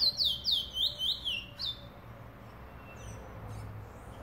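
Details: Trinidad bullfinch (chestnut-bellied seed finch), 2018: a fast burst of loud, sliding whistled notes repeated several times a second for under two seconds, then near silence with soft distant chirps.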